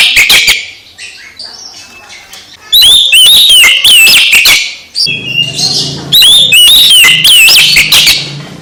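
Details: Oriental magpie-robin song used to rouse a silent magpie-robin into full song: rapid, loud whistles and sharp chattering notes in bursts, with a lower rumbling background noise in the second half.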